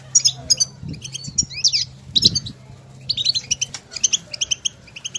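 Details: European goldfinches in the wild exchanging stimulating calls: sharp, high, twittering chirps in quick clusters with brief pauses between them. A few soft low thumps are heard beneath.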